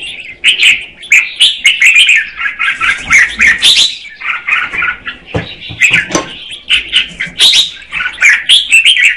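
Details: Female red-whiskered bulbul singing to stimulate the male: a dense, continuous run of bright chattering and warbled notes, with frequent sharp clicks and taps scattered through the phrases.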